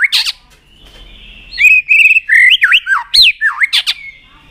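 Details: White-rumped shama, a trained bird singing to excite rivals: sharp opening chips, a pause, then loud fluty whistles that swoop down and up in looping slurs, ending with a long held note.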